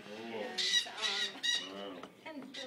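Young macaws give harsh, raspy squawks in quick bursts, with nasal, wavering tones between them, over about three seconds.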